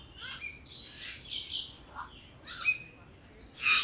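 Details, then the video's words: Wild common hill mynas in April give a string of short whistled and buzzy calls from the treetops, about one a second, over a persistent high insect-like drone. "සැළලිහිණි යෝ අනේ ලස්සන ගීතයක් වාගේ ඒ නාද රටා..."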